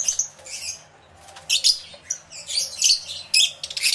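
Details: Lovebirds calling in a crowded aviary, taken with a camera and two external microphones: scattered shrill squeaks and chirps, quiet at first, then loud bursts of high chatter in the second half.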